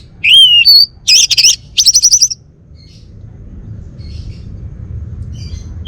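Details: Male Bali orange-headed thrush kept as a cage bird, recorded in Singaraja, North Bali: loud whistled phrases, a wavering warble followed by a fast series of six rapid notes, then faint soft chips and low background rumble.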